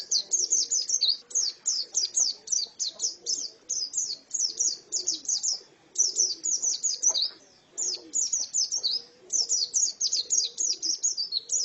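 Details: Female white-eye giving long runs of bright, high chirping notes in quick succession, broken by a few short pauses; soft low murmur in the background.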